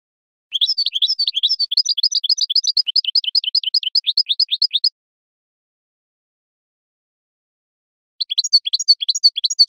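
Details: Field-style song of a wild European goldfinch, used as a training model for captive birds: roughly four seconds of fast, tumbling high twitters, silence, then the twittering resumes near the end.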